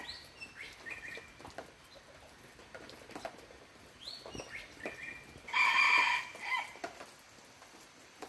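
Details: Several thin descending whistles lead into a loud, coarse crow from a red junglefowl lasting about a second. A shorter harsh note follows amid faint ticking noise.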